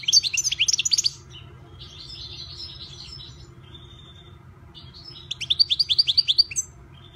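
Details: Owned European goldfinch singing in lively phrases of fast, high, jingling twitters. A softer buzzy passage and a thin sustained note come between two loud bursts, with a low background hum underneath.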